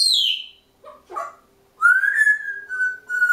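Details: Two pet African grey parrots on top of a kitchen door before bedtime give winding-down noises: a falling high whistle, brief grunting notes, then a long rising-then-level whistle, indoors with a faint steady hum.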